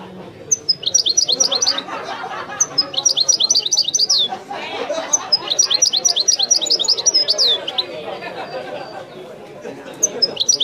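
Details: European goldfinch singing in the authentic Wedani style: bursts of rapid, high, sharply rising twittered notes repeated in quick runs with brief pauses, over a low murmuring background chatter.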